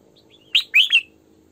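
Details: Female Red-whiskered bulbul kept as a lure bird, singing in the full 'sổ bọng' style used to train bulbuls' morning song; a brief phrase of three clear, slurred whistled notes, the first sharp, the last two linked, over faint low hum.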